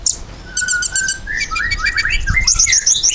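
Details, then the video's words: Ruby-cheeked sunbird singing actively, used as a lure to make pet sunbirds answer: a long flat whistle, then a run of quick chirps sliding up and down, with sharp high ticks throughout. "KOLIBRI GACOR! PANCINGAN KOLIBRI NINJA BIKIN KONIN ANDA CEPAT NYAUT"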